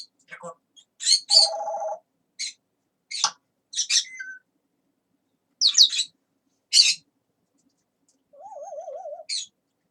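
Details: Chatty pet talking parrot mixing rapid sharp chirps, a buzzy nasal tone, clicks, and a quick trilled wavy whistle near the end.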